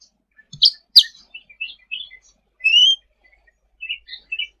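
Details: Sooty-headed bulbul singing energetically for tutoring: two sharp clicking chirps, a few short notes, then a clear rising whistle and closing pairs of brief chirps.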